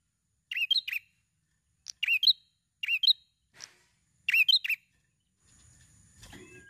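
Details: Prinia song used to lure other birds into singing: four sharp, bright chirping bursts of two or three quick notes each, spaced about a second apart, ending with a soft rustle.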